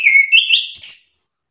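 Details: A brief orange-headed thrush phrase used to provoke other orange-headed thrushes into answering: clear, slightly rising whistled notes, then a harsh, buzzy high-pitched flourish, lasting about a second.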